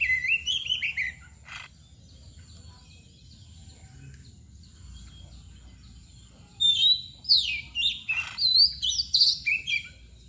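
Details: Kacer bagong, the white-rumped shama, opens with a short whistled slur, goes quiet for several seconds, then resumes with a rapid series of ringing whistles and chirps.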